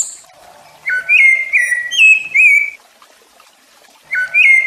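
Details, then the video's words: A rufous-bellied thrush gives a short phrase of four clear whistled notes, some gliding, then pauses and begins again; played to teach and warm up young and adult birds. "O MELHOR CANTO DO SABIÁ LARANJEIRA PARA ENSINAR E ESQUENTAR SEUS PÁSSAROS ADULTO OU FILHOTE DE SABIÁ"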